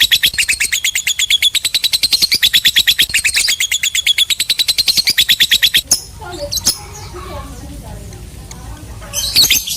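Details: Lovebird giving a long 'ngekek' chatter: a fast, even run of sharp, high chirps lasting about six seconds, then a few scattered squeaks and clicks before a short burst at the end.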